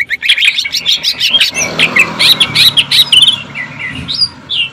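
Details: Cucak ijo, greater green leafbird, singing jamtrok tembakan said to sound like a sewing machine: a crowded jumble of quick sharp chirps and whistles, thinning out toward a few slurred notes at the end.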